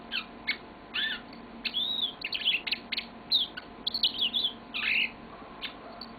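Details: Pet yellow-fronted canary giving its long song in a room: spaced sharp chirps, then slurred whistled phrases and rapid twittering trills over six seconds, bright and high, against a faint steady household hum.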